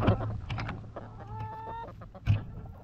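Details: Backyard chickens in their coop: a few soft clucks, then a drawn-out, even-pitched tonal hen call lasting about a second, ending with a sharp knock. A steady low hum runs throughout.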